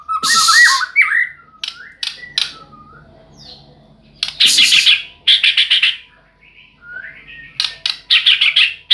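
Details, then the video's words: Singing white-rumped shama alternating fluty rising whistles with harsh buzzy pulses and clicks, phrases tumbling out irregularly over nine seconds, loud and close. "burung murai yg indahh"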